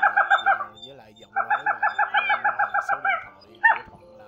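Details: Male and female crake calls used to draw birds into nets at night, likened to a cat: two fast series of nasal, harmonic notes at about four per second, separated by a pause, ending with one louder note, low hum beneath.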